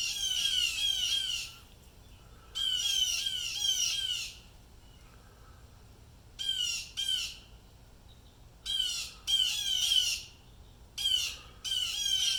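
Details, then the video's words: Distressed blue jays going crazy over an unknown disturbance: long, grating squawks, some drawn out over a second and a half, others clipped and paired, recurring irregularly. "BLUE JAY BIRDS CALLING MAKING SOUNDS LIKE DISTRESS"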